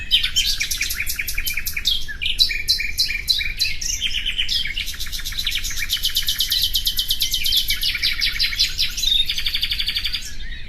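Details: Common nightingale song: rich, rapid phrases of repeated high notes and fast buzzy trills, each run changing pitch, pouring out almost without pause over a steady low background hum.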